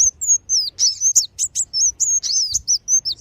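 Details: High-pitched sunbird lure sound used for trapping wild birds: a steady stream of thin, slurred whistles and sharp squeaky chirps, loud and almost continuous throughout.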